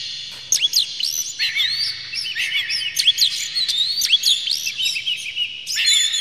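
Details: Oriental magpie-robin singing to provoke rival magpie-robins into song, tail spread. Continuous rich whistling with swooping, rising and falling notes interleaved with sharp clicks.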